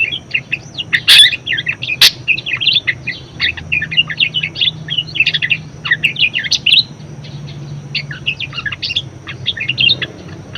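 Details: Budgerigar singing vigorously, used as tutor song for other birds: long, rambling warble of rapid chirps and chattering squeaks, two sharp clicks early, a brief gap before the last run of notes.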